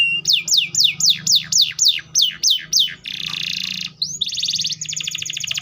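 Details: Canary song with a series of about ten loud, high, downward-sweeping whistles at a steady pace, followed by a buzzy rattling trill and a fast ringing trill of repeated notes.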